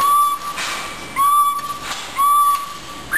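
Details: Captive blue jay kept as a research bird in a laboratory, giving level, pure whistled notes about half a second long at roughly one-second intervals, ending on a higher, rising note; brief broad rustling bursts fall between the whistles.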